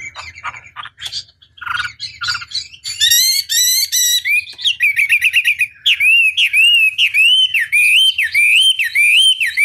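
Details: Chinese hwamei long-duration training song, played to provoke other hwamei into answering: sharp scratchy notes at first, then loud ringing whistles repeated rapidly, ending in a run of wavy, slurred whistles.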